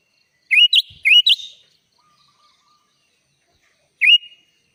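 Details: Vigorous 'gacor full isian' sooty-headed bulbul song used for training young birds: a quick phrase of four liquid, rising whistled notes, then a lone upslurred whistle about three seconds later.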